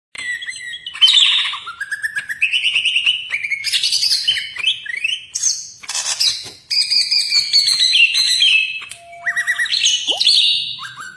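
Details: Greater green leafbird (cucak ijo) singing hard in a dense, tight style said to resemble a magpie robin, used as a training recording for songbirds: rapid run of varied whistles, rising slurs and sharp chirps, with few pauses.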